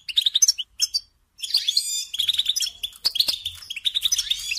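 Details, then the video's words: Short twittering phrases from a European goldfinch, then a brief pause and a rush of buzzy, tinkling notes and chirps. "Supporting and Singing Along with Goldfinches"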